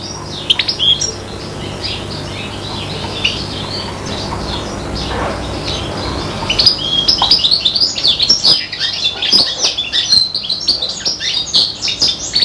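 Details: Five-month-old hybrid of serin and bronze canary imitating goldfinch song: a few scattered high chirps at first, then a sustained lively run of bright twittering and trilled phrases.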